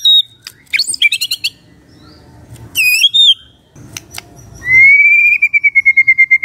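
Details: Magpie-robin morning song, played to make a quiet bird answer: scattered high whistled notes and a bright trill, a ringing double whistle, then a sustained rising whistle breaking into quick repeated pulses.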